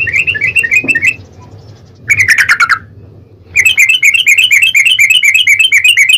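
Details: Long rapid 'ropel' song of a yellow-vented bulbul, a lure to set off another bird's singing: fast trilled runs of bright notes, broken by two short silences, each burst dense and rattling.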